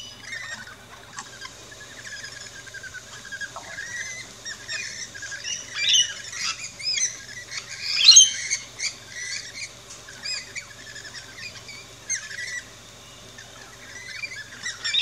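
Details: Backyard rainbow lorikeets at a feeding station in Australia chatter with a run of rapid, shrill, screechy squawks and chirps, building to a loud burst midway, then quieter scattered calls.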